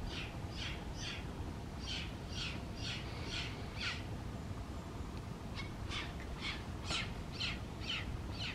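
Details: Rescued Southern Crested Caracara while having breakfast, uttering harsh, grating calls repeated about twice a second in two bursts, with a short pause between them, over a constant low rumble.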